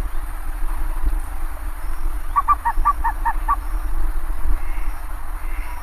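A bare-faced ibis gives a quick run of about six nasal, honking notes in just over a second, over a steady low rumble of wind or distant traffic.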